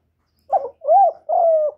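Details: Young male spotted dove calling loudly, a call meant to spur other doves to call: one short broken coo followed by two longer, smooth, slightly arched coos at a low-mid pitch, against complete silence.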